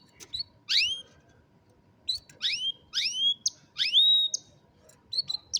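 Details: Singing canary, phone recording: a rapid run of five or six strong whistles, each dropping sharply in pitch with ringing overtones, followed by short high chirps, with little background noise apart from a low hum.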